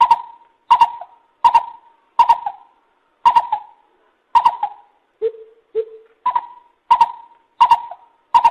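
Lesser Coucal giving hollow, abrupt mid-pitched notes about every 0.7 seconds, broken midway by two lower, deeper notes before the series resumes.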